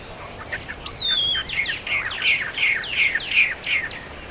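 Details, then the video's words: Countryside birds calling: a busy string of high, downward-sweeping chirps, roughly three per second, overlapping from more than one bird, with a light hiss of open-air background. "Sonidos de Pajaritos del Campo"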